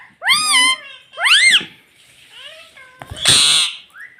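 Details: Rose-ringed parakeet kept as a pet, talking "mummy": two loud, steeply arched, harmonic syllables about a second apart, softer murmured notes, then a harsh noisy burst.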